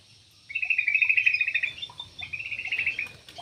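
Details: Aviary Yellow-vented bulbul giving a continuous bubbly, warbling phrase of rapid fluty notes lasting nearly three seconds, dipping slightly midway, with faint background chirps.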